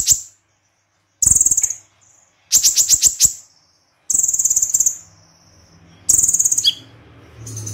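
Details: Konin singing in the tembakan style, rapid and spicy: four high, fast buzzy trill bursts with stuttering pulses, spaced about every one and a half seconds, then a quick falling chip and a faint low hum.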